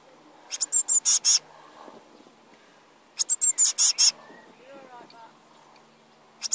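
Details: Blue tit chicks begging for food in their nest, two loud bursts of fast, shrill, buzzy high cheeps about two and a half seconds apart, a further burst starting at the end, faint murmuring behind.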